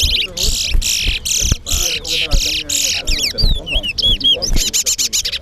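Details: Chestnut-bellied seed finch (towa towa) singing in a singing competition at Guyana National Stadium: loud buzzy rasping bursts repeated about twice a second, then quick slurred whistled notes, over crowd chatter and music.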